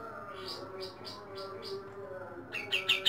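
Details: Pied triller (kapas tembak) at dawn: a series of soft, evenly spaced high chirps, then a louder, quick rising trill at the end against a faint low background hum.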